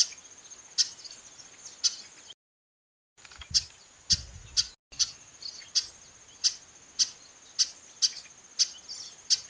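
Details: Female chestnut-capped blackbird calling repeatedly: sharp, clicky chip notes, about fifteen over the stretch, spaced roughly every half to one second. A steady thin high whine runs underneath, and there is a brief silent dropout partway through.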